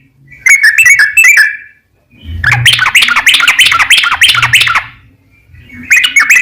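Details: Long, rapid 'ropel panjang' song of a yellow-vented bulbul, used to coax other bulbuls into singing: a short chirping burst, a pause, then a loud, dense tumbling run of notes with a faint low hum underneath.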